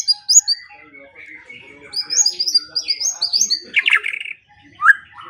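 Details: White-rumped shama, used in morning and evening songbird training: a soft mixture of high chirps and warbles, followed by a loud harsh buzzy burst and a final rising whistle.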